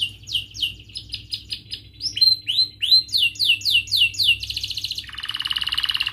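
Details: Canary song played as a tutor lure for young canaries learning to sing: loud, high, rapidly repeated chirps, then rising swept notes, ending in dense buzzy rolling trills.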